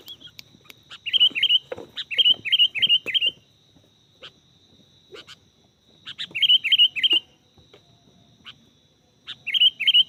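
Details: Sooty-headed bulbul, recorded during bird luring for trapping: bright chirped notes in quick bursts of about four, each bending up then down, bursts repeating every few seconds over a steady high electronic whine.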